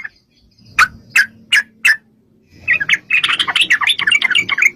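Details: Yellow-vented bulbul, played to make other bulbuls respond: four well-spaced sharp chirps about every third of a second, a pause, then a busy rush of overlapping chattering notes over a low rumbling background.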